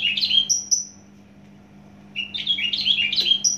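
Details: Javan bush lark from Java producing tangled, fast phrases of overlapping high chirps and slurred whistles, a short pause, then a renewed jumbled burst ending on a thin drawn-out whistle.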